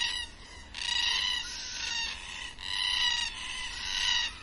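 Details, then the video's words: At dusk, black cockatoos give long, loud, harmonic wailing calls, each lasting a second or more and rising and falling slightly, in three or four overlapping bursts with little pause between. "Black Cockatoos at Dusk"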